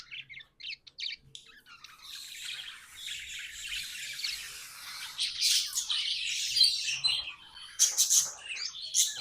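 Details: Caged budgies start with a few scattered clicks and tweets, then build into a loud, scratchy, high-pitched chattering warble that grows stronger toward the end.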